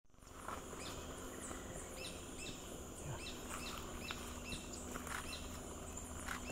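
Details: Purplish jacamar along a road in Maycu Reserve, giving thin, high, hooked notes, repeated about every half second, over a steady insect drone and low background hiss.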